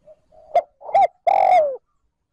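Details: One full trơn ròng cooing phrase from a spotted dove kept as a lure for wild doves. A faint lead-in, two short hoots, then a long mellow coo that slides downward at the end.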